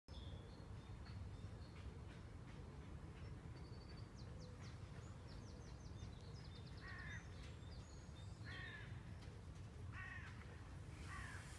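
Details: Canada geese on the banks of the Marne at Saint-Maur-des-Fossés, France, in April 2019: a few short harmonic honks toward the end, with high thin chirps of small birds and a steady low rumble underneath.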